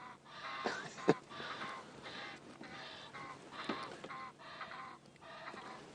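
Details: A pair of Egyptian geese at sunrise on 19 August 2016, beside a muddy waterhole with lapwings and a stork, trade harsh rhythmic honking and wheezy hissing calls in bursts about every second, with a sharp knock near the start.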